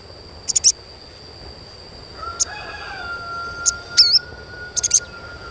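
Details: High, clipped sogon chirps in brief pairs and singles, played to stimulate young birds to sing. A long thin steady tone runs through the middle, over a constant high whine.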